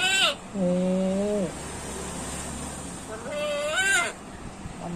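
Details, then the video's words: Household parrot talking in reaction to its owner resting with a headache; two nasal, speech-like phrases, each opening with a brief high squeaky note before a flat, held tone, separated by a quiet pause. "parrot talking"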